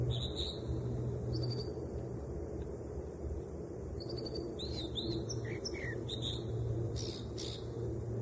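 American dipper singing short, varied phrases of high whistles, chips and quick slurred notes, some repeated, over a steady low rush of running water.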